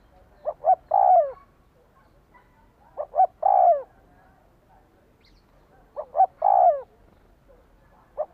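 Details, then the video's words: Spotted dove calling to stir a decoy bird: repeated phrases of two short hoots and a drawn-out descending coo, about every 2.5 seconds, with a fresh phrase beginning at the end; background quiet. "Tiếng chim cu gáy thúc kích bổi nhanh nổi hiệu quả-Suara Burung Tekukur"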